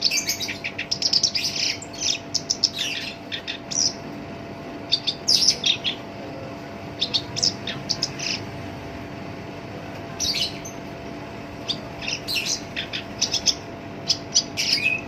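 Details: Kept black-browed reed warbler singing continuously in a rough voice, a song used as a lure to set other songbirds singing: rapid bursts of scratchy, chattering high notes in dense clusters, with short pauses between phrases.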